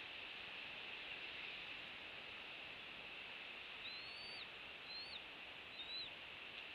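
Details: Bald eagle at a rebuilt nest on Captiva Island, Florida, filmed by nest cam on 23 January 2023 at 07:26, shortly after a chick hatched: three or four thin, high piping notes, each rising then dropping sharply, late in the clip over steady hiss.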